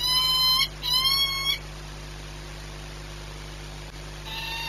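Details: Peregrine falcon 8BS at Orlen, Płock, 14:39 on 22 March 2021. Two quick harmonic wailing calls open the clip, then a pause of over two seconds before a third call begins. A low hum runs throughout.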